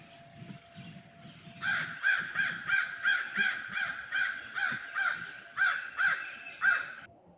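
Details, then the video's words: American crow in Manitoba, Canada, giving a quick run of about fourteen harsh, nasal caws, roughly two or three a second, after a soft low rumble; the familiar caw call. "And of course, crows have kind of that real caw noise that everybody seems to hate, except for me."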